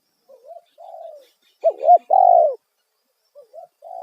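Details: Loud 'kuk satu' spotted dove call used as a lure for wild birds. A softer, quieter coo phrase is followed by a loud, strong one of warbling notes and a long falling coo, then faint coo notes at the end.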